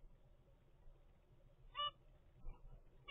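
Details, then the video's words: A single loud nasal beep from a young zebra finch, 25 days after hatching in a home breeding setup, followed by a fainter softer note, with steady low hum behind. "zebra finch baby DAY 25"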